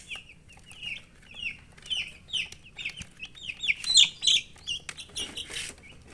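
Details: Baby chicks chirping continuously, many overlapping high descending peeps running together in a busy chorus over faint low background hum.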